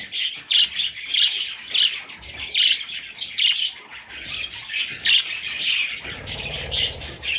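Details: Little parrot chicks giving loud, repeated squawky chirps about twice per second, then softer chatter with low background rumble in the last second.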